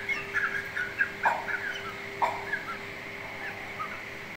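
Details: Mother chicken and chicks eating rice, fed on July 17, 2024; a few louder, mid-pitched clucking notes mixed with short high chirps, the busiest in the first second and a half, over a constant low hum.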